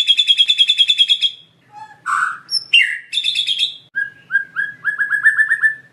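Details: A white-rumped shama in full lure song packed with fill phrases: a rapid chattering trill of about fifteen notes, then varied whistles and buzzy notes, ending in a run of quick repeated rising whistles.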